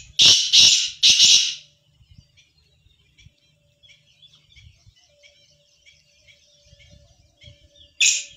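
Black francolin giving three loud, harsh, grating notes in quick succession, then another after a pause, with faint twittering of small birds in between.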